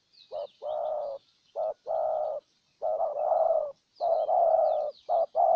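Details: Decoy spotted dove, Ninh Thuận, Vietnam, cooing to attract a wild dove: deep, rough paired notes, the second longer and fuller, spaced irregularly, with light high-pitched chirping from other birds.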